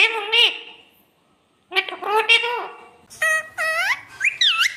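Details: Talking parrot mimicking speech, calling 'mummy' and asking for roti: clipped nasal phrases, a pause, then a run of rapid sliding squeaky syllables with strongly bending pitch.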